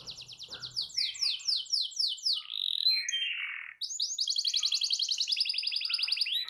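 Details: Canary song used as a training recording to prompt a silent canary to start singing: rapid rising trills of repeated notes, a brief buzzy mid-pitched phrase, then a long fast even trill.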